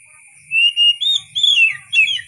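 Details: Oriental magpie-robin song fragment: clear level whistles followed by descending slurred notes in five quick bursts, with a faint constant high tone and low rumble behind.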